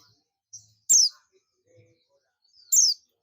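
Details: Calling for companions, an Oriental white-eye of the buxtoni form gives two strong, piercing, downward-slurred high notes nearly two seconds apart, with a few faint chips and soft lower sounds between them.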